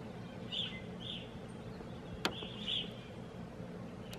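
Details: Small flock of Evening Grosbeaks in Algonquin, Canada, in April: short, clear, slightly burry calls at 0.6, 1.1, 2.6 and 2.8 seconds, with a sharp click near 2.2 seconds over a low background rumble.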